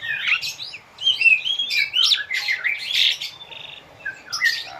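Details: Asian pied starling, played as a training song for captive birds to imitate: a varied jumble of squeaky whistles, harsh chattering notes and short buzzy bursts, broken by brief pauses, over faint background hiss.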